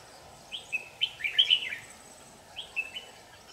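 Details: Red-whiskered bulbul, white-cheeked with yellow mouth-edge, at a trapping site on 8 July 2019: two bursts of short, warbled whistled phrases around mid-high pitch, a dense cluster at first, then three notes after a pause, over faint background hiss.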